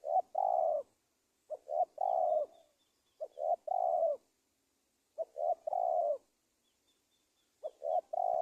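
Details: Cooing of a spotted dove used as a lure to trap wild doves in Indonesia, repeated steadily: quick double coo then a long, slightly falling coo, about every two seconds, with faint high twittering behind.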